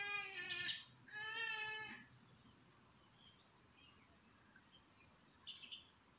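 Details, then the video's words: A flock of trumpeter hornbills, a gregarious species, gives two loud, nasal, child-like screaming wails, each about a second long, followed by faint distant bird notes. "The Child Like Screaming Call Of A Flock Of Trumpeter Hornbills"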